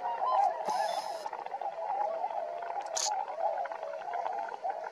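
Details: Tundra swans foraging together near Rosedale and Munson, Alberta, Canada: a thick chorus of many honking voices, interrupted early on and again later by short hissing noise bursts.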